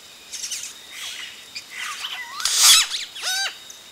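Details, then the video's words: Yellow-rumped cacique chicks at the nest, recorded close, calling as adults arrive: soft raspy chatter, a loud noisy burst, then one ladder-like descending harmonic call. "Yellow-Rumped Cacique. CU Calls From Chicks As Adults Arrive At Nest."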